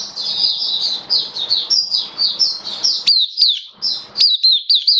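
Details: Oriental white-eye singing in captivity, recorded 27 October 2022: a steady stream of shrill, rapid warbled notes, with a low hum and muffled room noise beneath the first part.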